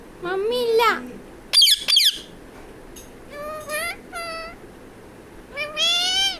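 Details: Talking pet parrot calling mummy for roti: several rising and falling voice-like phrases with rich harmonics, interspersed with two sharp, high squawks, ending in a louder drawn-out rising call.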